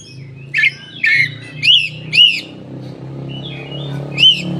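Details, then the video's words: Koci singing with tail open, a lure for lazy-singing koci; a series of loud arched chirps roughly every half second, a pause with soft notes, then one more chirp, with a constant low hum behind. "suara burung koci buka ekor||pancingan koci bahan ombyokan"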